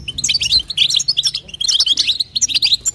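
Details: Twittering of a female European goldfinch, given to stimulate the male, in bitbita and sitsita style. Quick bright chirps and liquid trills tumble over each other in close bursts. A soft low hum runs in the background.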